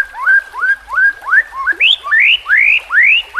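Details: White-rumped shama song used as a training song for captive birds: repeated bright upslurred whistles, about three a second, climbing higher toward the end.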